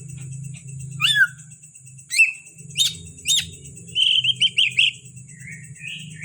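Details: Greater green leafbird from Kalimantan, kept as a cage bird, giving sharp downslurred whistles spaced about a second apart, then a quick cluster of chirpy warbled notes, against a high steady hum and low droning noise.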